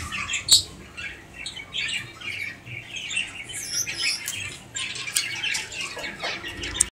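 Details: White king quail giving a busy series of sharp, high chirps and squeaky notes, irregular and overlapping, with louder clicks at the start and near the end.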